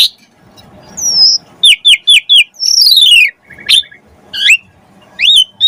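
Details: Asian pied starling in full, busy song with rich fill-in phrases, a lure recording to get other birds singing: a sliding whistle, a series of sharp dropping notes, a long descending buzzy sweep and scattered chirps.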